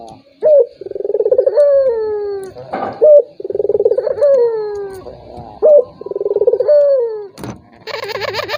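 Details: Lure call of a turtle dove meant to goad a rival that is slow to call. Three phrases, each a short bright upslurred note, then a throbbing rolled trill ending in a long falling coo. A brief noisy burst near the end.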